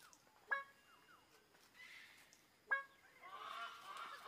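Greater Bird-of-paradise giving two loud, harsh, honking calls about two seconds apart, with softer calls and a rustling hiss between them.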